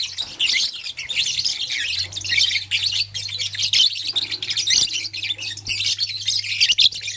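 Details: High, rapid twittering and rasping chirps from blue, lutino and green lovebirds handling a flower, steady throughout, with a low background hum and a single click.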